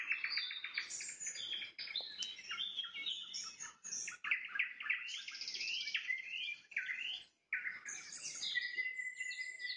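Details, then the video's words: Nightingale trills at sunset: fast repeated notes, slurred whistles and a buzzy high phrase, a clear gap near the end, then a long steady whistle. "Пение соловья на закате, соловьиные трели"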